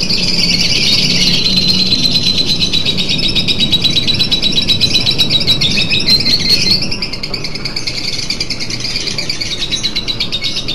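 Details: Lovebird in contest-nerves training with a simulator, giving a long continuous chattering trill of high rapid notes that breaks into a faster stuttering rattle near the end, over steady low background noise.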